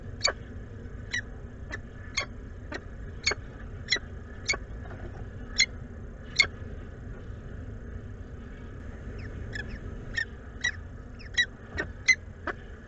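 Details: Peregrine falcon at the Anwil nest site in Włocławek, Poland, 12 May 2022, during food exchanges between the pair, giving short, harsh, clipped call notes in an uneven series, about one or two a second, over a steady mechanical hum and low rumble.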